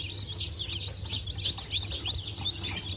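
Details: Newly hatched chicks of İspenç and bantam Cochin chickens, hatched 19 November 2024: a dense chorus of high, overlapping peeps that run together without pause, over a steady low electrical hum.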